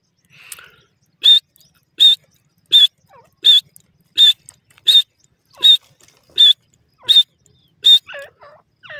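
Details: Woodland partridge chirping in a steady series of about ten loud, harsh, ringing notes, roughly one every 0.7 seconds, with softer squeaky notes trailing at the end.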